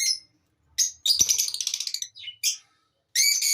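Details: Lovebird chirping: short harsh, buzzy chirps in bursts, a quick rapid run of clipped notes in the middle and a bright, layered squawky burst at the end, with brief silences between.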